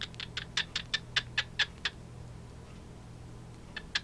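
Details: Two male cockatiels, a pied and a white-faced, give a fast run of short, bright chirps, then pause before two more.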